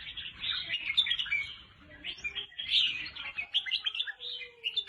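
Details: Red-whiskered bulbul singing, a recording used to stimulate caged birds: continuous busy chatter of bright chirps and short warbles from more than one bird, with a faint low whistle-like tone near the end.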